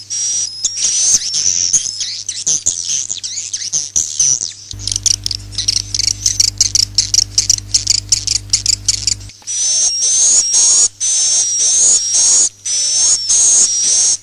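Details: Swiftlet roosting calls, a lure sound: dense, scratchy high twittering and buzzy notes throughout. In the middle comes a stretch of rapid clicks over a louder low hum, then longer buzzy chirps return.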